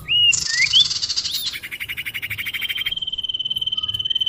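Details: Common iora lure sound used to attract birds: two short slurred whistles, then a long harsh buzzy rasp that turns into a fast, steady, high trill lasting several seconds.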